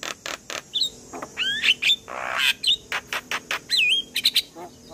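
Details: Javan myna morning song for prompting young birds: mixed chatter of dry clicks, bright rising and falling whistles and a rough scratchy burst, delivered quickly and irregularly.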